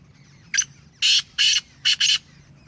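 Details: A home-bred, caged Black francolin of the Sheedi line calls: a brief sharp note, two loud harsh raspy notes in even rhythm, then a clipped double note, with a faint low background hum.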